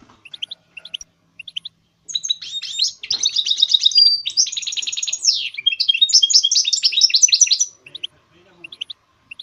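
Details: Goldfinch hybrid song. Scattered high chirps lead into a long, unbroken run of rapid trills, buzzy rattles and a clear whistled note, then fade back to sparse single chirps.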